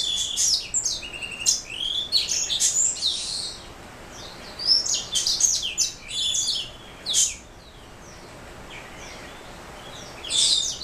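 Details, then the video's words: Black throat mule canary hybrid delivering bursts of fast, high twittering and whistled notes with clicky chips, then a longer lull before a final brief phrase. "Black throat mule"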